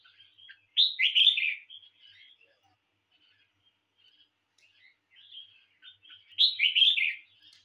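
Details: Competition singing from a red-whiskered bulbul kept at home: a loud rollicking warble, a long stretch of soft sparse chips, then another loud warbled phrase, roughly five and a half seconds after the first.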